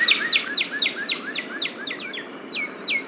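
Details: Northern cardinal pair duetting, one singing while another responds in the background. Loud, clear, downslurred whistles repeat about four times a second, with a fainter, lower answering series underneath and a steady background hiss.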